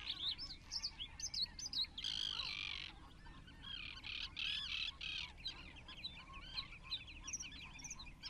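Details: A water rail at Rutland Water Nature Reserve, January 2022, lets out loud, piercing squeals in two prolonged bursts, surrounded by busy calls from other birds.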